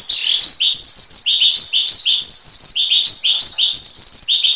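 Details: Javan pied starling song from a masteran recording: loud, continuous chirping with bright notes sliding up and down, arranged in repeated phrases of rising and falling chirps, with no other sounds.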